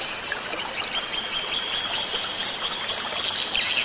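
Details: A swiftlet 'inap' call used to calm and settle the birds: rapid pulsing, high, thin twitters repeating several times a second in an unbroken shrill stream, with light clicking underneath.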